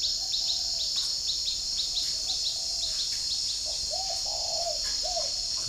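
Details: A spotted dove coos in the morning at a bird keeper's garden in Ba Vì, Hanoi, Vietnam, answered by wild birds. Faint coos give way to a clearer phrase of rounded notes. Rhythmic insect chirps and a shrill drone continue throughout, with a brief clatter at the end.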